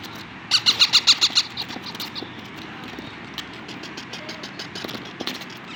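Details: Young parrots being hand-fed chapati at a breeder's home: a rapid burst of seven harsh, scratchy squeaks in about one second. Softer, irregular chirps and rustling follow against a low steady hum.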